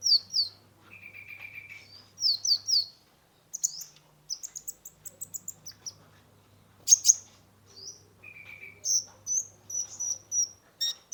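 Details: Brown-throated sunbird (kolibri ninja) singing actively with a varied, full repertoire, played as lure therapy for stressed caged birds: high, sharp chirps and short trills, some lower whistled notes, broken by pauses, over a faint low hum.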